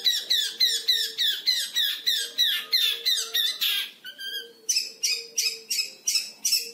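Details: Young caged long-tailed shrike, five months old, learning to mimic lovebird and canary; rapid scratchy, downslurred squeaks roughly three per second, a brief tonal whistle, then sharp shrill bursts resuming.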